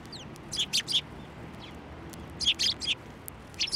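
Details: Sparrows flying onto an outstretched hand for food at a Tenmangu shrine on 29 January 2024. Two quick runs of three or four bright, high chirps about two seconds apart, then a final short chirp.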